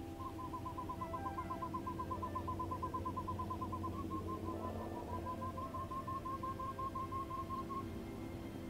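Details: Spot-winged wood quail calling: a long run of short, evenly repeated mid-pitched notes, about three per second, dipping slightly in the middle and then continuing. A steady low hum or music lies underneath throughout.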